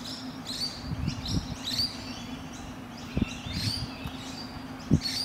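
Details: Australian rainbow lorikeets cuddling and preening one another; sharp, high screechy chirps come in uneven bursts, mixed with low thumps and knocks and a constant background hum.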